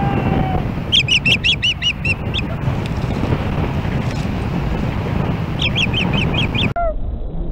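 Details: Osprey at its Hellgate Canyon nest in Missoula, Montana, July 4, 2016, alarmed by another osprey approaching: two vivid volleys of rapid, shrill, repeated whistled chirps, each around seven notes, amid wind, with a faint steady tone at the start.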